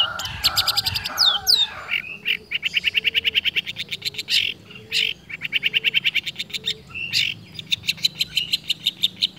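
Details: Long-tailed shrike in full mimicking song, copying other birds' sounds: bright chattering phrases, then long steady runs of rapid, evenly repeated high notes and harsh bursts with no break, plus soft low warbles underneath.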